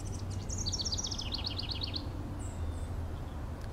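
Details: A House Wren, a little brown bird hidden in the tangles of a brush pile, gives a quick, bubbling, tumbling song of rapid high notes over about a second and a half, against a steady low rumble.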